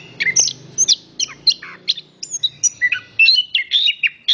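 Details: Male orange-headed thrush in song, a rich varied run of whistled and slurred phrases, short notes jumping between high and mid pitch, delivered rapidly with brief gaps; faint low hum beneath.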